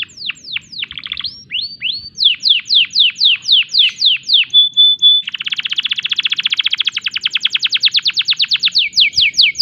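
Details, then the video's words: Breeding-condition canary singing a series of falling whistles, a short pure steady tone, then a long fast buzzy trill before returning to spaced downslurred notes. "tembakan unik kenari gacor birahi"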